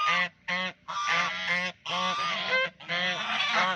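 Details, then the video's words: Duck playing in a pond, calling with four long, harsh, nasal honks, each lasting under a second and separated by short silent gaps. "Duck Making Sound"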